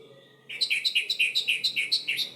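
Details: Orange-headed thrush song used as a lure to make silent birds start singing: a quick run of about twelve bright, slurred notes repeated steadily for nearly two seconds after a short quiet start.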